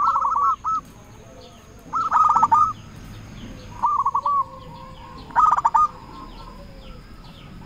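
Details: Local zebra dove, kept as a lure, calling to rivals: mellow stuttering coo phrases, some loud and some softer, spaced a second or two apart over a low steady background hum.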